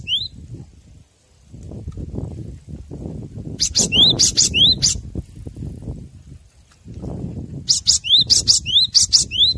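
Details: Cinereous tit song played as a master recording for training captive birds. A sharp rising whistle is followed by buzzy high double notes, in two bursts of repeated phrases, over a low rumbling background.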